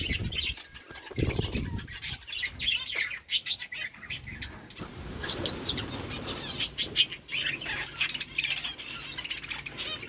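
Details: Several lovebirds chatter while eating boiled rice: dense, overlapping high chirps and twitters run throughout, mixed with clicks and low rustling.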